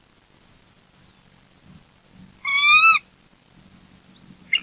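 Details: Bald eagle at a nest with eaglets on a golden Saturday morning; the adult male arrives with a fish head, is followed by an intruder and alerts. A single wavering, squealing note of about half a second, with quiet and faint low hum around it.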